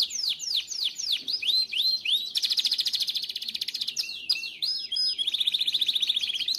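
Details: Powerful Timbrado canary song meant for training canaries, fast falling chirp series giving way to a buzzing rolled trill, then sharp swept notes and a long steady rattling tour.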